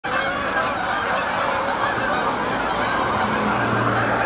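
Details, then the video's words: Canada geese landing at dusk: a dense, unbroken chorus of many overlapping nasal honks from a large flock, loud and continuous throughout with no clear gaps. "Canada geese landing at dusk"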